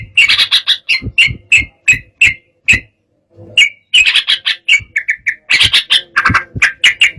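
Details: Agitated yellow-vented bulbul song meant to set rivals singing: rapid run of sharp chirps and harsher squawky notes, a brief pause near the middle, then a renewed dense chattering burst, with soft low thumps.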